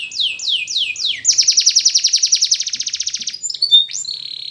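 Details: Spanish Timbrado canary training song: three loud downward-sweeping whistles, then a long rapid metallic rattle that slows slightly, ending with short glides and a held whistled tone.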